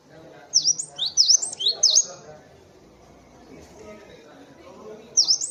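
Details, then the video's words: Cinereous tit master recording for bird training: V-shaped high whistled notes in a quick series of three phrases, a pause with faint background murmur, then another phrase. "suara masteran burung gelatik batu"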